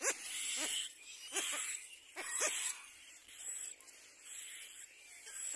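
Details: Little black cormorant at its nest, both adults arriving together with the chick, giving harsh, wheezy calls in short bursts, roughly one each second, over a constant airy hiss.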